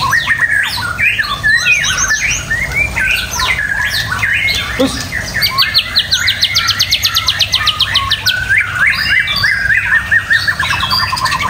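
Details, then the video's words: White-rumped shama in full song: mixed whistles and harsh notes, then a long fast rattle of high repeated notes, and a closing run of quick chips, with low hum behind. "Menikmati Kicauan Murai Batu"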